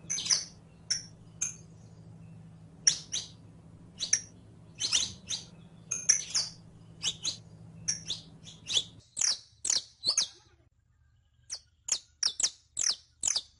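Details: Captive saffron finch, locally canario criollo, sung as a model for training birds: long series of crisp high chirps, some paired, sweeping downward, with a humming background that drops out partway, then a brisk chirping run.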